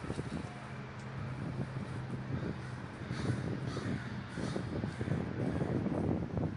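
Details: Large communal gathering of crows in Davis, California, many birds cawing at once in a rough, continuous chorus that swells toward the end, with low background rumble.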